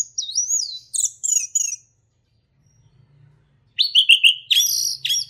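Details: Male orange-headed thrush in 'ngeplong' song, used to train young birds: a swooping whistle and slurred notes, a pause, then clipped whistles and a rich warbled phrase.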